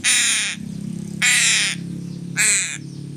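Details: Three loud, harsh caws about a second apart from a crow while it is being fed fish, each raspy and slightly falling, with a low background hum between them.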